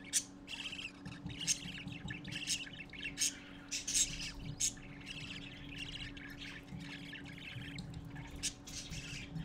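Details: Parakeet babies gathering to see their father give a busy run of harsh, scratchy squawks and chirps, several birds calling over one another at an uneven pace, with a steady low hum underneath.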